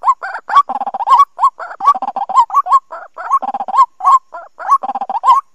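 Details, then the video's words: A white-breasted waterhen gives harsh, croaking kwak notes in rapid, unbroken bursts, several per second, mid-pitched and raucous throughout, in a recording used as a trapping lure for the 2020 season. "Tiếng Quốc Bẫy"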